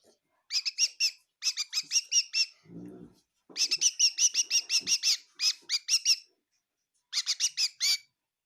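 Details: A kitchen bird at Tseminyu, Kohima, chirping in short quick bursts of high notes, with a soft low household rustle between phrases and quiet pauses.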